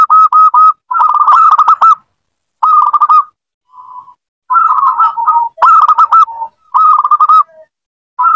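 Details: Lure recording of zebra dove song for a bird that is slow to sing: steady mid-pitched trilled coos in phrases of about a second, with brief softer, lower notes between them and short silences.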